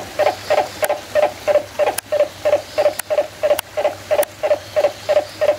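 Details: At San Diego Zoo Safari Park, 11/10/2020, a turaco repeats deep, croaking kow notes about three times a second, some sixteen in a row, while several sharp clicks sound in the background.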